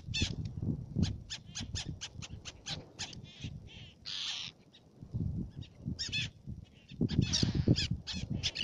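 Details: Black-naped terns calling on Fares in Baa Atoll, Maldives: a steady train of sharp high chips, one longer buzzy note near the middle, then more overlapping calls, over low rumbling noise.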